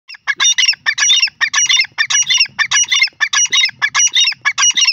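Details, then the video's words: Grey francolin from Pakistan giving loud, harsh, rhythmic calls: repeated bursts of grating multi-note phrases, about eight phrases in five seconds, each made of stacked scratchy syllables, with no other clear sounds. "the teetar ki awaz of pakistan best teetar birds sounds"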